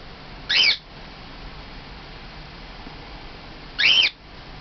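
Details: Pet normal grey cockatiel, a male aged two and a half, calling for its companion: a pair of sharp, shrill whistled calls roughly three seconds apart, each brief and rising, with faint indoor background noise between.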